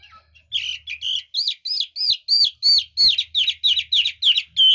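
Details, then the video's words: Hwamei singing in a style valued by bird-keeping enthusiasts for changing voices: a rapid series of loud, clear, down-slurred whistled notes, about a dozen in under four seconds. The later notes shift to a zigzag shape. "Chú mi cực hay, đảo giọng hót tốt hót rất đẳng cấp"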